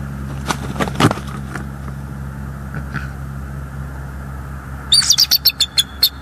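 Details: Male bald eagle at a Northeast Florida nest on 7 December 2022, spending the day in and around the nest tree waiting for his mate, caught by a live nest cam: a few knocks and clicks, then a quick burst of high staccato chattering notes.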